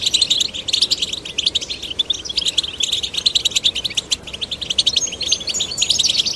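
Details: Male and female goldfinch chicks prompted to sing: steady, bubbling chatter of sharp high chirps and quick buzzy runs, loud and continuous over six seconds.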